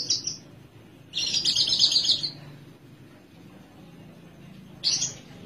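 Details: Javan Horsfield's bush lark kept in a cage sings a brief high note, then a dense, buzzy, rattling trill for about a second, with another short high note at the end.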